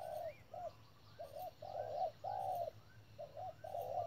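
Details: Spotted dove decoy at a trap giving the 'thúc' call, a quick sequence of mellow, low coos, a few longer and louder, with faint high chirps in the background.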